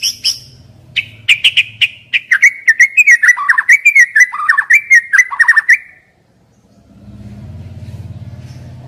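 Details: Young wild white-rumped shama song used as a lure to prompt stressed, silent birds to sing: rapid string of varied whistles and sharp chips around a steady mid pitch, ending abruptly, followed by a low hum.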